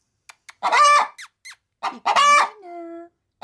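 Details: Pet hen about to lay an egg in a feed bag, cackling and making odd noises when approached: two harsh squawks among short clicks and chirps, with a woman's sympathetic voice speaking in Spanish.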